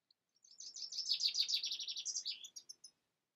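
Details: European goldfinch singing a rapid, continuous run of high, liquid twittering notes for over two seconds, ending in a few separate chirps.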